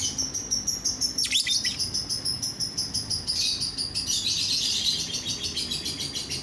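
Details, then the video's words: Lovebird song played to make other lovebirds sing along: a steady run of rapid, high, buzzy chirps pulsing about three times a second, growing into a denser twittering warble near the end. "DENGAR SESAAT SAJA, bikin lovebird yang lain ikut bunyi"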